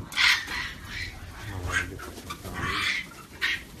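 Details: Large aviary flock of African grey parrots, over a thousand birds, calling together: harsh overlapping squawks and screeches rising and falling, with a constant low rumble of background noise.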